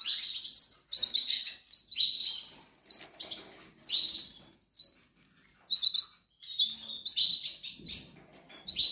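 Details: Hungry goldfinch nestlings in the Canaries begging: rapid series of high, squeaky chirps in bursts, with short silent gaps and fluttering wing sounds.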